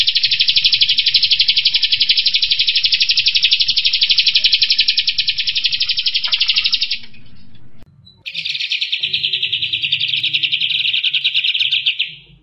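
A Striated grassbird gives a fast, tight, buzzy trill for about seven seconds, pauses, then resumes, over a low background hum.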